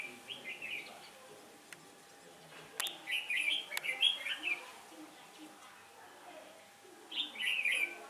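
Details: Decoy red-whiskered bulbul at a trap, 15 October 2017, a day of shifting wind: quick chirpy warbling phrases in three clusters, a dense run in the middle, with a few sharp clicks and a low steady hum behind.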